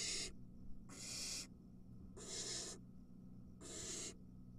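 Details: Barn owl nestlings, three in the brood, at the nest when an adult brings a mouse: four broad, rasping hisses roughly one per second, with a faint background hum.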